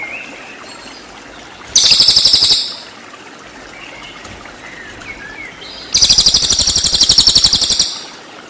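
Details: Cililin singing full 'tembakan' phrases, used as master song to train white-rumped shama: two loud, fast buzzy rattling trills of rapid high pulses, one short and one about two seconds, with faint thin whistles between.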